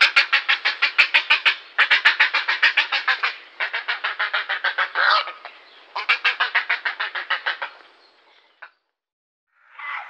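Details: Grey heron calls in repeated bursts of rapid, rasping staccato pulses, each run lasting one to two seconds, with a longer hoarse note midway and a brief harsh call after a pause.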